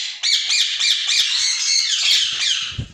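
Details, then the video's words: A caged pair of white ringneck parakeets offered for sale produces a continuous shrill, rasping screech with quick wavering pulses, ending with a soft low thump. "White ringneck pair"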